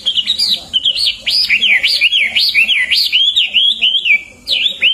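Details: Hwamei used as a master bird for training songbirds, giving a continuous series of rich wavy whistles, each note swooping up and down, with a short pause before a final phrase.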